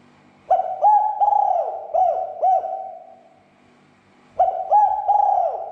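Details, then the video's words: Spotted dove cooing as a provocation lure: a phrase of mellow, bubbling coos, a roughly one-second silence, then the phrase starts again. "SUARA PERANGSANG TEKUKUR AGAR SEGERA EMOSI DAN BUNYI"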